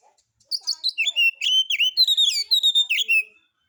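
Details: Lure song of a white-rumped shama, meant to provoke other birds to sing: a continuous string of varied clear whistles, dipping slurs and sharp chips over about three seconds, no other sounds.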